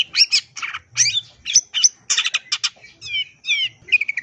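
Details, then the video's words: Long-tailed shrike delivering a fill-rich song for training other shrikes: harsh squawky bursts alternating with shrill chirps, then a few repeated descending whistled slurs toward the end. "Cendet Gacor Edan Full Isian Bikin Cendet Diam Spontan Ikutan Nyambar"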